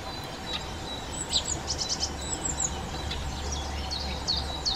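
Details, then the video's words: A Hawfinch recorded in a garden gives short, high, sharp ticking calls, several in quick clusters, over a steady low hum of background noise. "Dlask tlustozobý, Hawfinch, Kernbeißer, Appelvink, Обыкновенный дубонос, Grubodziób zwyczajny"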